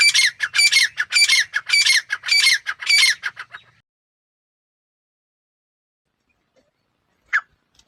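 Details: Grey francolin female (teetar) giving a rapid string of grating, squawking notes for about three and a half seconds. The call then stops, leaving silence broken by one short, lone note near the end.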